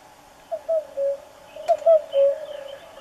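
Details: Close, clear common cuckoo: hollow falling notes in quick groups of three, 'cu-cu-coo', twice, then the start of another, with faint higher chirps from other birds behind.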